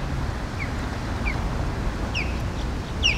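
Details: Osprey near Palm Beach and West Palm Beach, Florida, giving thin, high, down-slurred whistled chirps about a second apart, quickening toward the end, over a steady low rumble of wind or traffic.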